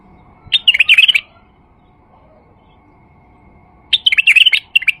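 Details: Lure song of a male White-eared bulbul meant to attract other bulbuls: two bubbly, warbling phrases of rapid liquid notes, each under a second, separated by about three seconds of quiet.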